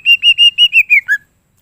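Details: Greater green leafbird in full song with mimicked phrases, used to trigger other leafbirds: seven even, clear whistled notes in quick succession, the last few slurring downward, then one lower whistle.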